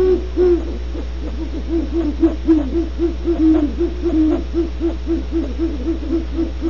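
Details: Great horned owl at Starr Ranch, California, giving deep, soft hoots in a quick run of about four per second, the notes overlapping, over a steady low hum.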